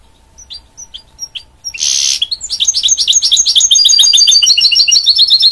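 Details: Hybrid goldfinch-canary mule: sparse thin chirps, a brief rushing hiss, then a loud, steady stream of quick high twitters and trills.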